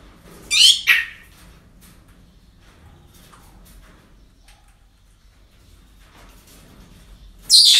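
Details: Parrots at a breeding centre: a raspy two-part squawk near the start, then several seconds of faint rustling and quiet before another loud harsh screech breaks in at the end.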